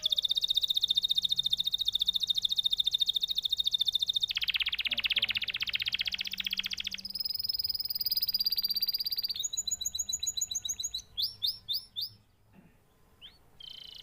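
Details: Long canary song passing through several tours: a high thin trill, a lower harsh rattle, a clear high trill, quick looping whistles, then brief chirps, a pause and a final short note.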